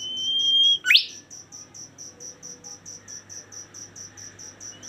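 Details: Bimoli song: a long steady high whistle rising slightly, then a sharp upward-sweeping note, over a continuous fast pulsing cricket chorus.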